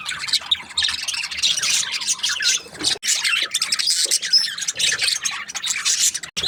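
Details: Happy budgerigars giving continuous bright, raspy twittering with overlapping squeaky chirps, broken by a brief drop around the midpoint and a sudden cut-off at the end.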